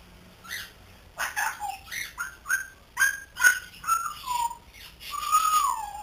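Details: A three-month-old grey parrot kept at home, learning to talk, utters a series of short whistled notes that slide downward, roughly two per second, closing with a longer drawn-out whistle.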